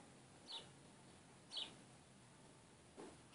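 White-throated seedeater giving short, high chip notes, about one every one to one and a half seconds, over a quiet background hiss.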